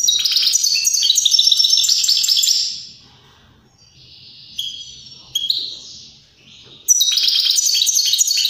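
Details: European greenfinch song meant to get other birds singing and mating. Rich rattling twitter, then soft drawn-out wheezy notes and a few chirps before another loud trilled phrase.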